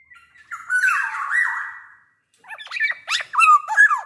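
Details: Black-naped oriole, a large, vocal bird used to prompt other orioles to sing, gives a long harsh, slurred note that trails off, then after a pause a run of rapid dipping whistles and squeaks.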